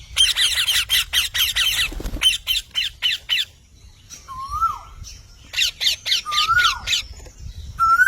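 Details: Parrot in a long chattering run of harsh squawks, followed by short squawk bursts and clear, rising whistled notes that bend down at the end.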